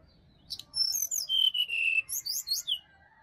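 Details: Forest sirdadu from Bali, song used as a morning lure for a quiet caged bird: a high chip, slurred whistles sliding steadily downward, then four rapid bright chirps at the end, with little other noise.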